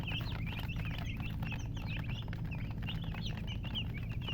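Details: Baby chickens peeping: many rapid, high, thin cheeps, some rising and some falling, overlapping continuously above a steady low mechanical hum.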